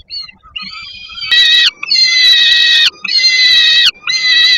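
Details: Juvenile peregrine falcon begging from below the nest on 10 August 2022 at the Żerań power plant in Poland, while a parent delivers food. Soft whines rise into loud, drawn-out grating wails, each about a second long.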